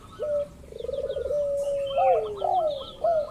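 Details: Local zebra dove calling to bait rivals: a short rising note, then a rippling low trill flowing into a steady coo that curls and drops, with faint higher chatter behind.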